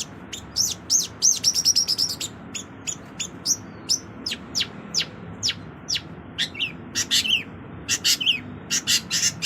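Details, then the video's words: Long-tailed shrike in lavish isian filler song: rapid high ticking notes at first, then a long, even series of crisp chirps, closing with doubled, varied twittering phrases. "Cendet Isian Mewah"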